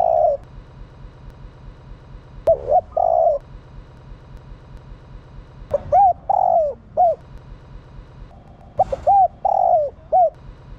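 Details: Spotted dove hen giving coos meant to rouse males, with repeated phrases of short looping hoots and a longer descending note, several overlapping in quick succession, and a faint low rumble beneath.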